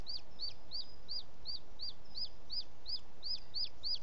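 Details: Booted eagle at its nest in Els Ports Natural Park, 18 June 2017, late evening, as the male brings in prey, an unidentified bird: a steady run of high, down-slurred whistled notes, about three each second, over a soft background hiss.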